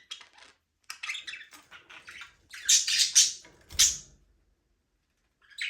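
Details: Several budgerigars in a small aviary chatter in quick scratchy chirps, building to three loud, shrill squawking bursts in the middle before a pause and a final burst of chirps.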